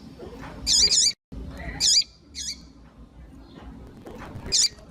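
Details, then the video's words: Female double-collared seedeater calling, used to stimulate males: doubled high chirps, then single and paired notes, each sharp with a falling tail, over a low background murmur. "Fêmea de Coleiro Quente piadeira Para Esquentar coleiro frio"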